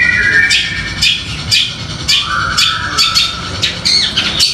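A long-tailed shrike sings a loud, harsh medley of scratchy squawks and chattering notes in quick bursts.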